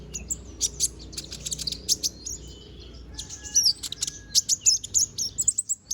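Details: Konin bird growing back its feathers sings with gusto: high twittering chirps and short trills, quieter in the middle, then a rapid sequence of loud, evenly paced sharp notes during the final two and a half seconds.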